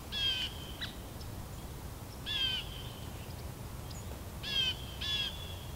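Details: At Edwin B. Forsythe National Wildlife Refuge, New Jersey, November 2015, a scissor-tailed flycatcher, uncommon there, gives rasping, buzzy single notes spaced about two seconds apart, ending with a quick pair, over low steady background rumble.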